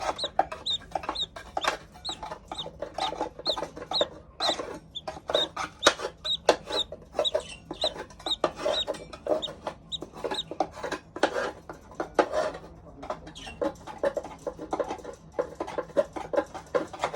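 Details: A young blue-and-black budgerigar chatters nonstop in short, scratchy chirps and squeaks.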